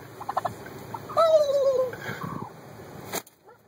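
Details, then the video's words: Angry turkey on the attack, a single loud gobbling call with a falling warbled tone lasting about a second, over a hum of background noise, followed by a sharp thump. "When Turkeys attack"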